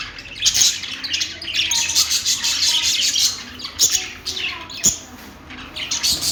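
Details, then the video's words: Budgerigars, the Australian parakeet, producing loud raspy squawks and chirps in dense stretches broken by brief lulls, with a few sharp snaps cutting through. "budgie birds | love birds |parakeet chirping sounds |Australian parrot|bajri totay ki awaz"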